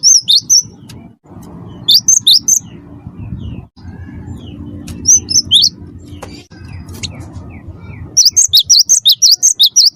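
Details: Busy wingko cinereous tit singing to provoke other birds: short clusters of high, sharp whistled notes, then a long, fast rolling run of repeated two-note whistles near the end, over a low hum.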